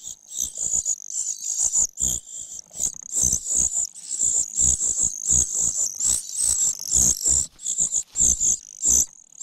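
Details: Parasitic common cuckoo chick begging from a foster parent, repeatedly losing out on food and pecking at her; almost unbroken high, strident wheezing calls pulsing rapidly, with scattered low knocks and rustles.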